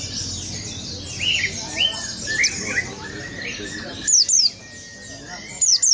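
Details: A competition oriental white-eye (pleci) sings open-beaked, rolling its song to provoke rival birds: a fast, high, thin twitter of rolling chirps and quick sweeping notes, with a few sharp bright calls near the end.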